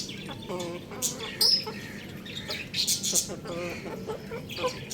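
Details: Rice-eating young rooster making short, stacked, slightly rising chirps in small clusters, with high, piercing peeps from other birds scattered through.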